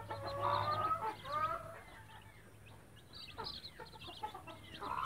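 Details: Mother hen of the Blue light kind with chicks utters two quick bursts of throaty clucks, then quieter gaps filled by bright, high chick peeps repeated rapidly.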